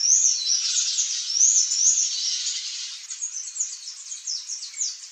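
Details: Palm tanager (Thraupis palmarum) feeding on embaúba fruits, giving thin, high, squeaky calls in quick overlapping bursts.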